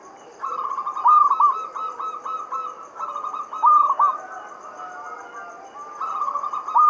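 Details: Zebra dove of local Javanese stock giving lure song to stimulate other doves: dense run of rapid rolling coo-trills, phrases tumbling one after another for most of the stretch, a quieter lower trilling voice underneath.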